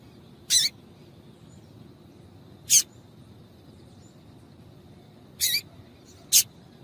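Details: Female double-collared seedeater calling, used to stir males into singing: four short, sharp, high chips spaced irregularly over about seven seconds, with quiet background hiss.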